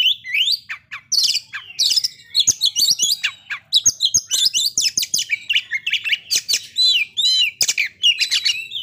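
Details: Oriental magpie-robin song played to bring birds into breeding condition and aggression: a dense, rapid stream of varied whistles, sweeps and harsh chattering notes with scarcely a pause.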